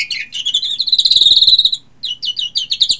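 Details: European greenfinch singing: quick twittering trills and chirps, then a sustained rolling trill lasting almost a second, a short pause, then more rapid twittered notes.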